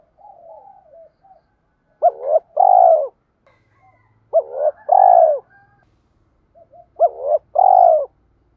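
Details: Spotted dove cooing used as a lure to train newly caught birds and provoke fighting. Three deep phrases roughly 2.5 seconds apart, each a short two-part stutter followed by a drawn-out falling coo. Faint low cooing is heard early on.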